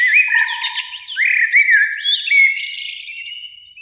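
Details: Eurasian blackbird song in spring from a beech tree beside a lake at evening, two blackbirds singing; a steady run of low, mellow whistled notes with a squeaky, high-pitched chattering ending.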